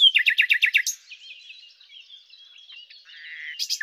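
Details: Common nightingale (Luscinia megarhynchos) delivering a string of about seven loud, evenly repeated chopped notes, then a quiet thin warble, a low buzzy rattle and a final sharp chirp.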